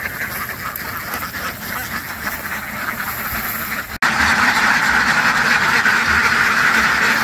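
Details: Ducks quacking in a dense, continuous flock chorus of rapid, overlapping nasal calls. After a brief cut near the middle, the chorus returns louder.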